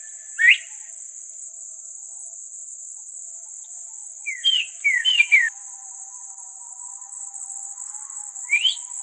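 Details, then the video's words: Northern bobwhite giving clear whistled calls, with one sharply rising 'bob-white' phrase and single rising notes, over a steady high insect drone. "Bobwhite Quail Call"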